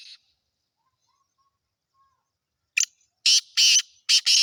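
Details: Black francolin, known as Sindhi kala teetar and kept as a captive bird for sale, gives a harsh, grating phrase of five rasping bursts in the last two seconds after a long silence.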